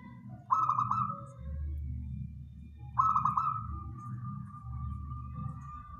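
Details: Wild local zebra dove song, used as a lure for trapping birds: two bubbling phrases, each opening with a fast stuttered run of notes and then drawing out into a steady mellow coo, about two and a half seconds apart, with low rumble underneath.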